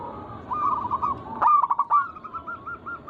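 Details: Local wild zebra doves, played to lure other doves into singing: a rolling series of mellow, rapidly repeated cooing notes, with a burst of sharper clicks in the middle. The notes then settle into an even, bubbling trill.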